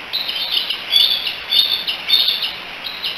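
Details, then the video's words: Bald eagle eaglets, three siblings in a Decorah nest on 16 July 2018, calling for their mother with a steady series of high, piping chirps, roughly two per second, with slight rises and falls in loudness. "The 3 D's hanging out and chatting together, probably calling for Mom."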